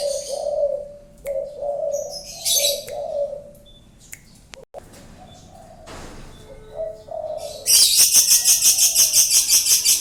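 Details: Spotted dove cooing, a prized bird: soft low coos in short and longer slurred notes fill the first three and a half seconds. Quieter rustling follows, then a loud harsh rhythmic pulsing noise dominates the last two seconds.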